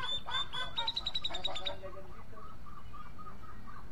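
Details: Grey-cheeked bulbul (cucak jenggot) singing: a rapid series of bright, buzzy repeated notes for nearly two seconds, followed by softer, lower chattering notes against a steady background hum.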